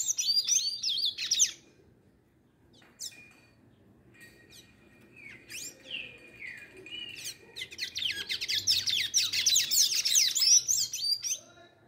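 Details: A pair of tanagers sings rapid, squeaky high chirps and twittering phrases in bursts, with brief pauses and a few clearer whistled notes between.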